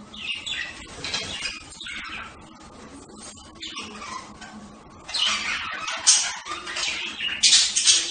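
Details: Budgerigars squawk: rapid, raspy calls come in uneven runs, starting softer and swelling into a louder burst of harsh chatter in the second half.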